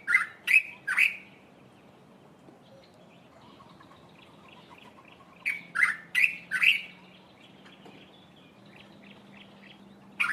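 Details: Early-morning dark-capped bulbul calling from a treetop: two bursts of three or four loud chirping notes about five seconds apart, each group trailing into softer quick repeated chips, over a steady low hum.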